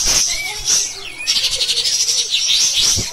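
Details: Pied triller, a master recording for training other cage songbirds, singing a loud, harsh, persistent shooting style: dense high buzzy chatter with short downslurred whistles and a brief fluttering trill near the end.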